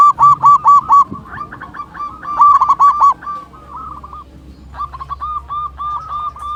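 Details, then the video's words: Strong-voiced local zebra dove used to stimulate other doves: it opens with loud, rapid staccato coos, followed by overlapping quieter trills, a pause with low hum, then another steady run of short, hollow notes. "Perkutut Lokal Gacor Suara Besar Masteran Pancingan Burung Perkutut Agar Bunyi"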